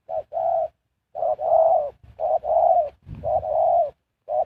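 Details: Decoy spotted dove for luring wild birds, giving steady, soft, hollow coos. Short notes lead into longer sustained ones in a rolling, repeated pattern, with a dull low thud midway.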